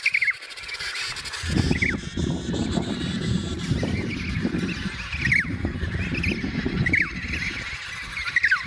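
An emperor penguin chick gives short, high, falling whistled chirps, about six over several seconds, over heavy low wind rumble.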